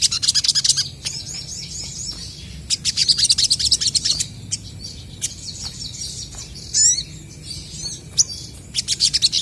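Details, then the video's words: Crested jays answering each other, bursts of high rapid chattering and twittering notes in clusters, with sharp clicks and a brief rising sweep between phrases. "SOGON GACOR BERSAHUTAN"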